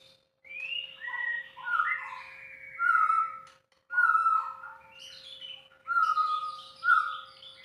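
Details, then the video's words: White-rumped shama singing loud, rich whistled phrases with deep fluty notes and higher ornaments, separated by brief pauses, about three phrase groups; faint hum in background. "proses bunyi harus sabar,telaten.tanpa di edit langsung upload aja #murai #muraibatu"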